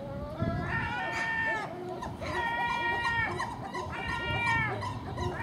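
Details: ['Three drawn-out, mewing, harmonic gull calls with slightly falling ends, each lasting about a second. The common gulls are feeding at dawn on garbage left outside a house, in company with a magpie and a crow.']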